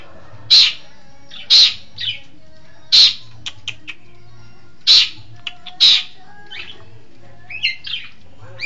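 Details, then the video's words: East Javan long-tailed shrike alternating loud rasping calls with thin high ticks and short twittering phrases, irregularly spaced, over a low background hum. "Burung Pentet Jawa Timur Cerdas Gacor"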